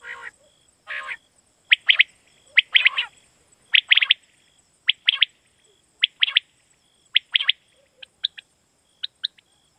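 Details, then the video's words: Quail call played to lure quail for night hunting in Pakistan: bursts of short sharp chirps around the upper range, grouped in twos and threes roughly every second, with a steady thin high tone underneath. "Batair Kirak batair ki Awaz For Night Hunting"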